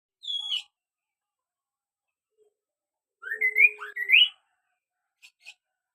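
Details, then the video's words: Kaso-kaso bird in lively song: a short high whistle, then after a pause a run of clear rising and falling whistled notes, ending with two faint high chips; quiet background. "burung kaso-kaso gacor"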